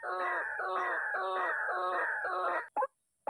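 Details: White-breasted waterhen disturbed and angered by a decoy's loud MP3 playback during bird trapping: harsh, nasal, croaking phrases repeated about twice a second, followed by two sharp clicks.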